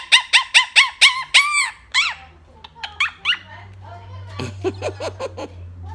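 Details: Blue Quaker parrot chattering to its friends: six quick, evenly spaced, arched squawky chirps, then softer, irregular chatter and muttering notes over a low steady hum.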